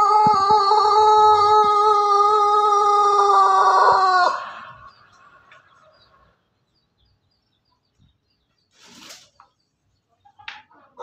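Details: A Pelung Bangkok rooster, recorded 17 May 2024, delivers a drawn-out crow of about four seconds, rich and tonal with stacked harmonics, ending in a brief rough flourish, then near silence with a couple of soft clucks.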